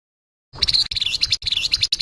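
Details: Grey-headed babbler's harsh call, here a scratchy, jerky series of notes wavering up and down in pitch, delivered in quick groups separated by tiny breaks.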